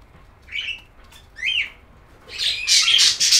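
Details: Budgerigar calls: two clear rising-falling chirps a second apart, a faint click, then a loud rapid burst of harsh buzzy chatter to the end.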